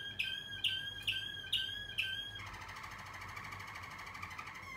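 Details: Young Waterslager canaries from 2020 singing: five sharp clucking notes repeated about twice a second, then a sustained rolling, bubbling trill.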